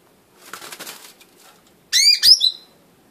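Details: Blue-winged leafbird giving two quick harmonic calls late in the clip, each with a sharply rising then falling note, after a soft rustling or fluttering noise in the first second.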